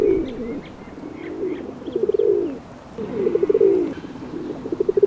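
A pigeon gives low, throaty rolling coos in bouts about every second and a half, each swelling then fading; faint high chirps from small birds sound behind.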